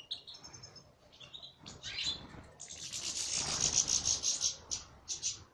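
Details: European goldfinch salaka song: twittering notes and short liquid phrases build into a long, loud, buzzy, fast-pulsed trill, ending with a few separated sharp chirps.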